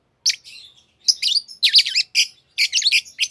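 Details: A green Fischer's lovebird pair sings in bursts of high, scratchy chirps and twittering notes, grouped in short clusters with brief pauses between them.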